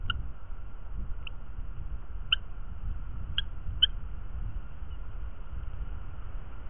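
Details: Eurasian hobby at a nest in rural Dorset, England, live cam, 07:59 on 30 July 2023, with a breeding pair: five short, high, squeaky notes spaced unevenly over about four seconds, over a steady low rumble of wind or distant traffic.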